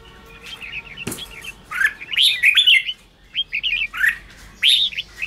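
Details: Red-whiskered bulbul song for stirring newly caged wild birds: a sharp click, then soft chattering notes followed by louder warbled, rising and falling whistled phrases in short bursts.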